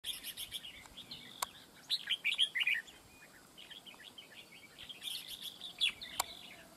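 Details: Red-whiskered bulbul used in a fight trap, wild-caught bird: bursts of bright chirpy warbled notes at about two and five seconds, with sharp clicks between and quiet background hiss.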